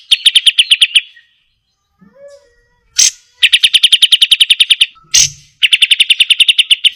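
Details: Cream-vented bulbul, or kapas tembak, in a training recording of sharp trilling; rapid runs of evenly repeated bright notes separated by short silences, with a faint low sound and clicks in the gaps.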